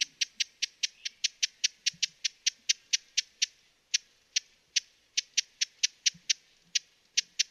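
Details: Broad-billed hummingbird from western North America gives a long, steady run of crisp ticking chips, about four per second, with a few brief pauses. Faint low thumps sit underneath.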